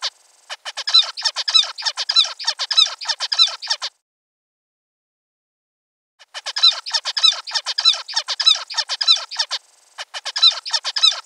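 Zebra finch giving rapid bursts of nasal, toy-trumpet-like beeping notes, two bouts with a pause between.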